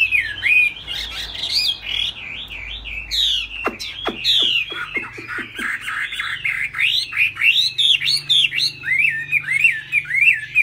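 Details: A fig-leaf-tailed laughingthrush in full high song, flapping its tail. Wavering, warbled whistles roll on in loops, broken midway by a run of sharp clicking strokes, then resume as rapid upslurred phrases.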